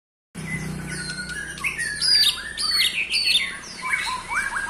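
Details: White-rumped shama singing to provoke other shamas: a rich, varied run of high whistles, sharp upslurred and downslurred notes and chirps, tumbling quickly in changing phrases over a faint low hum.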